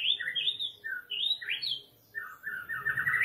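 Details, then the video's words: Masteran song of a white-rumped shama meant to stimulate other birds to sing their repertoire: quick bursts of slurred whistled notes, a brief pause, then a dense rattling trill of rising notes, with a soft low hum. "MASTERAN MURAI BATU MERANGSANG BONGKAR MATERI"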